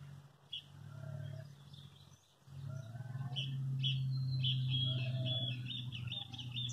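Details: Lined seedeater on a farm in rural Coronel Murta, Brazil, singing the classic "metralha" song used to teach chicks: quick, high twittering phrases over a steady low hum.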